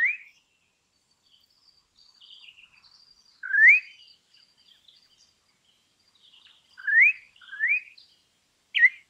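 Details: Campo troupial, an imported bird, singing loud rising whistled notes spaced irregularly, several in quick succession near the end, with faint high chirping from other small birds in between.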